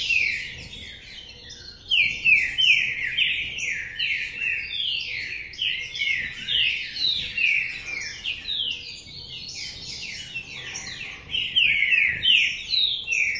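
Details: Caged green-winged saltator singing under a cage cover, Paraná-style song: a long, loud, continuous stream of rapid sweeping whistled notes, starting quietly then bursting in after two seconds, with steady overlapping phrases throughout.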